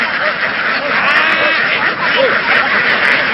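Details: Flock of egg-laying ducks in Vietnam, moving through fields toward a boat, producing a loud, thick chorus of harsh overlapping quacks, one clearer downward quack standing out near the end, over continuous rushing noise.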